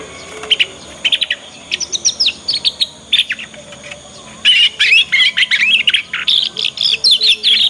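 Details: Juvenile Yorkshire canary practising its ngriwik song, played to get other canaries to respond and sing along. Short scattered chirps give way to a dense, continuous stretch of rapid, high twittering trills.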